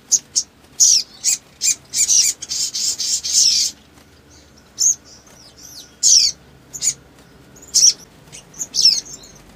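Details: Crimson sunbird in energetic lure song with long bursts meant to stir other birds. Staccato high chirps give way to a buzzy rasping trill, followed by spaced sharp notes and swooping whistles.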